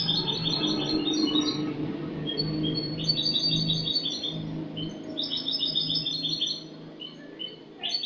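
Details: Cante limpio from a Spanish goldfinch, a bird from last year, dated 22 August 2018: repeated quick jingling phrases of high metallic notes, with a steady low droning background that fades near the end.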